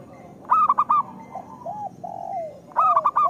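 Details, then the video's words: Zebra dove, a local bird, singing a lure song meant to coax reluctant doves into calling: quick bursts of sharp cooing notes open and close, with softer drawn-out coos in between over a low background hum. "Perkutut lokal gacor Suara Pancingan Paling Disukai Burung Perkutut"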